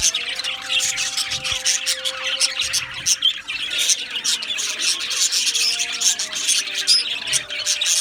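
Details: Budgerigar colony in an aviary, a continuous busy chorus of high chirps, squeaks and warbling chatter from many birds, steady throughout.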